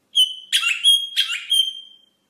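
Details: Rosella song of long, clear, steady whistles broken by two short, rough, mixed bursts, the final whistle fading out slowly.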